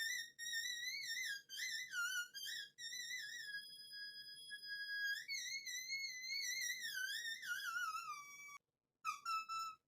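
A cockatiel whistles a sustained, wavering melody with long held notes and smooth pitch glides.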